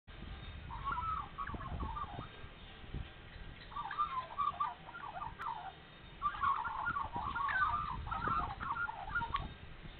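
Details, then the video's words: Australian magpies singing early on a spring morning in Nowra, New South Wales, after being fed: bursts of warbling, gurgling notes in three phrases separated by short pauses, with low rumbling background noise. "Spring Magpies singing Nowra NSW"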